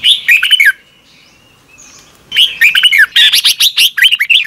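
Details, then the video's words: Morning song of a red-whiskered bulbul in double-twist voice style, used to train birds: a short burst of rich warbles, a quiet gap with a faint high whistle, then a long, dense run of lively slurred notes. "Luyện chào mào hót sáng 2022 - Hót hay nhanh căng lửa | Ép bổi Giọng xoắn kép"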